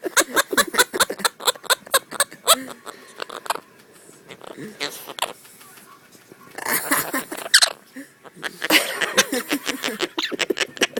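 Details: A male pet monk (Quaker) parakeet, playing a biting game with his owners, cackles in rapid, repeated bursts that mimic a manic human laugh, amid people talking.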